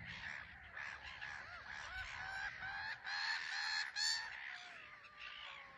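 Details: Black-headed gulls on a small island at RSPB Frampton Marsh, taking off and landing; loud squealing cries with bent, falling notes, repeated roughly twice a second, several birds overlapping.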